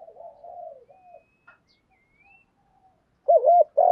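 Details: Decoy spotted dove calling to lure wild birds: soft falling low notes, a near-silent pause with faint thin high sounds, then a loud double looped coo cut off at the end.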